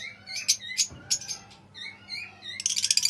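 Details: Pale fallow lovebirds chattering in shrill, high chirps and squeaky notes, several a second, ending in a fast buzzy twittering burst.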